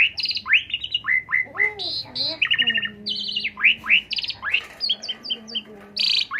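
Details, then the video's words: Lure song of an Asian pied starling, meant to stimulate another bird: dense varied phrases of rising whistles, quick chirp series and short rasping notes, continuous and busy with a faint low hum beneath. "isian jalak suren dan pancingan"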